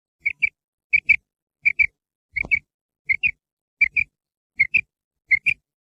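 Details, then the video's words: Female quail giving short high double notes, each pair evenly spaced about every two-thirds of a second, eight pairs in a row, with faint low thumps beneath. "Female Quail Sound / مادہ بٹیر کی کرک"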